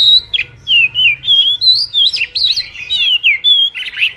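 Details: Oriental magpie-robin singing a training and lure song, a steady chain of clear whistled phrases, each rising or falling smoothly, repeated roughly every third of a second.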